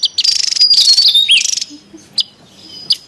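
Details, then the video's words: Noisy wild Javan tesia, recorded to lure and train birds: a long high rattling buzz of fast pulses with a thin descending whistle inside it, followed by a few isolated sharp ticks. "SUARA PIKAT DAN MASTERAN TESIA JAWA RIBUT DI ALAM LIAR"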